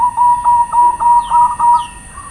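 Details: Lure call of the perkutut, or zebra dove: a sustained cooing tone broken by regular pulsed accents about every quarter second, with a faint high hiss throughout.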